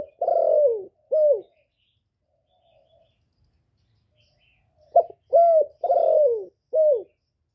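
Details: Spotted dove cooing in the thổ voice style, played to stimulate newly caught males. The tail of one phrase, a long falling coo and a shorter one, then a pause and a full four-note phrase of soft, hollow, mid-pitched coos.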